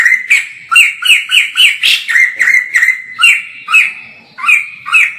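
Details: White-crested laughingthrush, filmed from far away, in lively full song: a rapid run of loud, harsh, chattering notes, each a short rising-falling squawk repeated roughly three times a second with no pause, and no other sounds.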